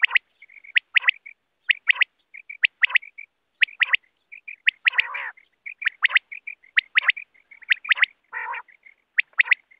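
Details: Wild quail calling, a sound used to lure birds in net hunting: sharp clipped double and triple notes mixed with soft quick whistled pips, plus two brief rasping bursts, in a steady chattering series.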